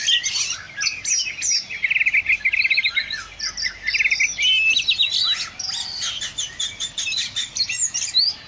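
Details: Energetic oriental magpie-robin song described as prolific, rich in varied whistled notes, scratchy chatter and a rapid rattling trill, poured out in dense bursts with brief gaps.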